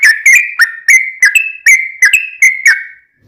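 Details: Sooty-headed bulbul singing as a lure for other bulbuls: about ten quick whistled notes with crisp onsets, some paired, in three seconds, ending in silence.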